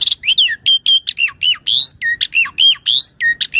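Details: Asian pied starling in full vigorous song, a training master and lure for other birds: fast, varied notes, some whistled and slurred downward, others harsh and squawky, delivered about three to four per second without pause.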